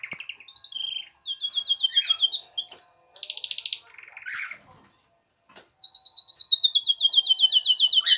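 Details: Spring canary starting its song: sweet whistled phrases and fast trills, a brief pause, then a long run of quick repeated descending notes, all high and clear.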